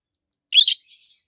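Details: One of two adult rosy-faced lovebirds (Agapornis roseicollis), both green, one red-faced and one yellowish-white-faced, gives one harsh, high, buzzy shriek lasting about a quarter second while chirping, then a few faint, thin chirps.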